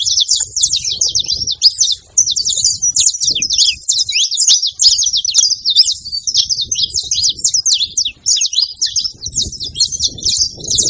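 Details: Male and female saffron finch calling together: a continuous high, dense chatter of quick scratchy chirps and buzzy trills, running without a break, over faint low background rumble.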